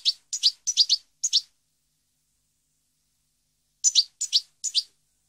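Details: Goldfinch from a 2015 recording giving crisp, quick chirps in small groups of two or three, a short run at the start and another after a pause of several seconds.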